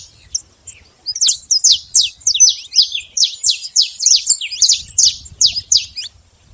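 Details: Wild saffron finch singing out in nature. After a few scattered notes, a steady series of loud, sharp, downslurred chips runs for about four seconds, then tails off. Background is quiet.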